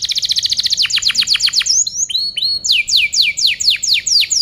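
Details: A canary sings as a tutor for other birds, rolling through rapid trills of steeply falling notes, a few slurred whistles, then a slower series of bright descending notes.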